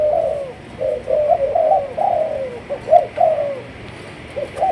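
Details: Spotted dove from Malaysian breeding lines delivers gentle, throaty coos in clustered notes, some rising then sliding down, separated by short quiet spells.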